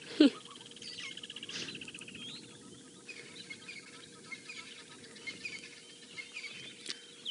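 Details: On a morning game drive on 6 December 2016 near a waterhole where lionesses rest, an African fish eagle gives a distant, ringing call of high, yelping notes in quick succession over a steady low engine hum.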